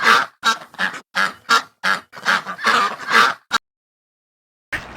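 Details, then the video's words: Duck quacks in a quick string of about ten harsh, nasal bursts. A pause follows, then a brief burst of noise at the end. "أصوات الطيور " صوت البط " - Birds Sounds " Ducks sound effect ""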